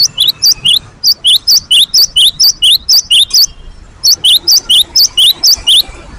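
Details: Great tit (gelatik batu) song used to lure other birds into singing: rapid high-pitched two-note phrases repeated about twice per second in steady bursts, with a brief pause midway and no other clear sounds.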